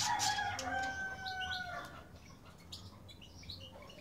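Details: Early in the morning a rooster crows, the crow ending in a long, drawn-out harmonic note that sinks slowly before fading, while a goldfinch is being bathed; high, thin chirps of small birds follow.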